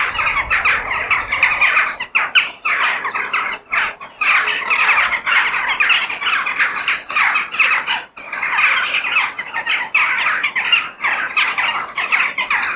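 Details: Crows outdoors give harsh, grating caws in rapid overlapping bursts, several birds calling at once with brief gaps, the noisy chorus running steadily for about thirteen seconds.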